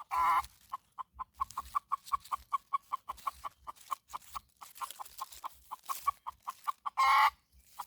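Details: Morning red junglefowl at a decoy-luring session: a harsh crow opens, then a steady train of short clucks, about three per second, and a second loud crow near the end.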